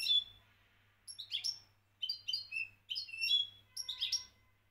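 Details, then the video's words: European goldfinch, champion-grade from Morocco, singing in short, separated phrases of liquid twittering and slurred high whistles, roughly one burst each second, with a faint background hum. "حسون لغة بطل المغرب"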